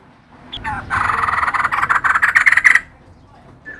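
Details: Female white-crested laughingthrush giving a short, dense burst of harsh, rattling laughter that swells and then fades away.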